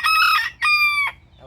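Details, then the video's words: A hill red junglefowl held in hand at a farm in Meowapara village, Bandarban, Bangladesh, raised from wild-found eggs, gives a short, clipped crow in two loud, ringing parts, the second held a little longer, with faint rustling behind. "এই মুরগির ডাকটা আপনারা শুনতে পাচ্ছেন।"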